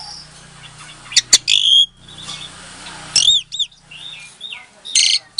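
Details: Asian pied starling, captive-bred in Klaten, Indonesia, February 2022, song used to provoke silent starlings into answering; sparse bursts of harsh chattering notes and a few bright upward-curving whistles separated by quiet gaps.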